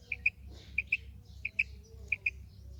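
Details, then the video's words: Four paired notes from a calling female quail, each pair a quick high double pip, about two-thirds of a second apart, over a low background hum and faint bird chatter. "Maadi Batair Ki Awaz, Female Quail Calling, Female Batair Ki Awaz,Maadi karkari Female Quail voice"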